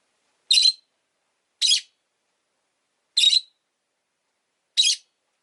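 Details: A pair of pet rosy-faced lovebirds sitting together at the entrance give four harsh, shrill chirps at uneven intervals of roughly one and a half seconds.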